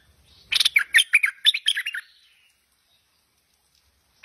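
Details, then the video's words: Stripe-throated bulbul, tame and singing energetically, delivers one quick burst of bubbly, slurred warbling notes lasting about a second and a half, then silence. "Merbah Lekir Gacor Jinak"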